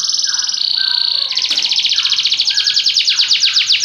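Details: Belgian canary song with dense high rapid trills, shifting pitch between phrases, a brief lower tone underneath, then a long fast rattling roll of repeated notes to the end; loud and clear throughout.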